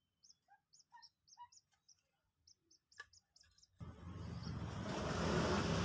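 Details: Two-day-old Common Moorhen chick, newly hatched and hand-reared, being taught to eat feed pellets: short high chirps in irregular bursts for nearly four seconds, then a loud rushing noise drowns everything.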